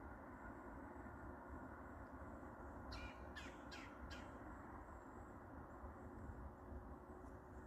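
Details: A Red-bellied woodpecker in Maine gives four harsh, rasping notes in quick succession, about half a second apart, over a steady low rumble of background noise.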